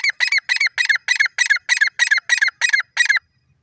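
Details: Grey partridge (irani teetar) calling: a loud series of eleven harsh, ringing notes given about every quarter second in an even rhythm, then stopping abruptly, on a quiet background.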